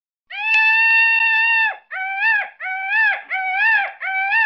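A peacock gives one long, loud, nasal wail, then four shorter wailing notes in quick succession, each bending up slightly in pitch.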